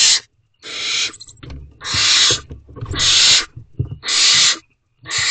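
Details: Wild barn owls at a nest box on 30 April at 8:34 pm while the male brings food: repeated rasping, hissing screeches about a second each, spaced by short gaps, with soft shuffling and scraping between.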